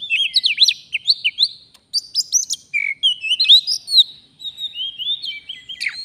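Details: Oriental magpie-robin, a forest bird, recorded during bird trapping, singing loudly and continuously: a rapid, varied run of whistled and chirping notes with sharp upslurs and downslurs, mimicry-like phrases and short trills, without pause for six seconds.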